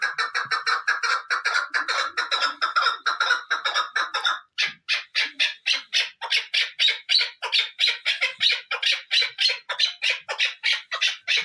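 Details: Chukar partridge described as a hunting partridge, giving fast, harsh, squawking chuck notes in a dense repeated series of about three to four per second. The notes run rich and clattering at first, then come as separate sharper pulses.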